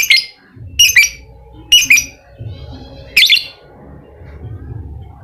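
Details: Lovebird used as a lure to prompt a quiet bird into ngekek song: four loud, high, squeaky chirps spaced about a second apart, then a spell of soft low rumbling.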